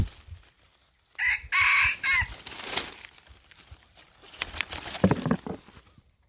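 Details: Red junglefowl from Aceh, Indonesia, recorded at Indrapuri: one loud, hoarse, segmented crow of three clipped bursts lasting about a second, followed by fainter rustling and scattered low knocks.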